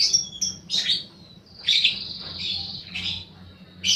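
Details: Fighter lovebird lure recording with shrill, squeaky calls, some stretched into long buzzy squeals, over a faint low hum.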